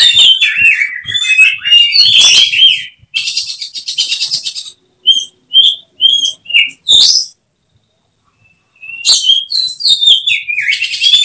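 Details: Oriental magpie-robin with competition promise, singing in bursts: a rich warbled opening, a long buzzy rattling trill, a run of short separated whistled notes, a silent gap, then another lively warbled phrase.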